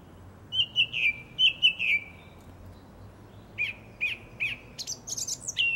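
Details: In April 2021 a single song thrush in a garden sings a phrase of paired falling whistles, repeats it, then pauses before a series of repeated short notes climbing into high, shrill fragments.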